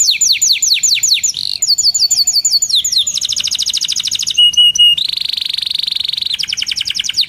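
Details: Canary in full, continuous song used as a lure and tutor recording for young canaries learning to sing and for stalled canaries: rapid series of high descending whistled trills, fast buzzy rolls, a sustained rattling tour and sharp metallic notes, changing phrase every second.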